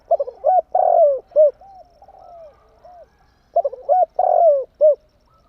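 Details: Decoy spotted dove, tame, repeating its cooing phrase twice in quick succession: clipped arching notes, a long loud coo, a sharp final note, with soft gliding coos filling the gaps. The background is clean.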